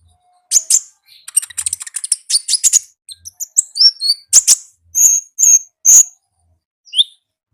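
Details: Energetic wild konin song: a rapid, scratchy twittering rattle that breaks into separate high whistled chirps and sliding squeaks, with short pauses between phrases.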